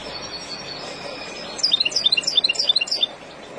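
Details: Wild European goldfinch song, used to teach young birds: after a quiet, hissy first half, a rapid burst of high, tinkling twittered notes jumping up and down for about a second and a half.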